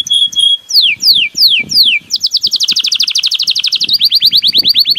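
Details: A Belgian canary sings: a short trill, then several slow descending whistled slurs, followed by a long rapid rolling trill of repeated rising notes with faint low rustling beneath.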